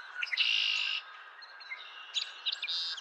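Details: A male song sparrow sings on April 10, 2023: brisk opening notes, a bright buzzy trill, then a jumble of quick chips and trills.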